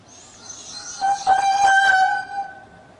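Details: White Indian peafowl calling: one loud, drawn-out, nasal wail with strong harmonics, held fairly level for about one and a half seconds before fading, with faint background noise.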